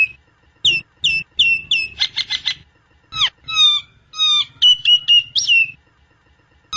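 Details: Nias hill myna song for mastering or luring: clear descending whistles, a rapid harsh chatter, then swooping tonal notes and a quick series of high whistles closing on a long downslur.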